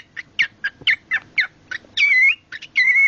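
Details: Captive pet cockatiel vocalising when offered cloth, a sock: quick run of short rasping chips, then two longer sustained whistled notes with slight wavering pitch, close and loud over quiet room hum.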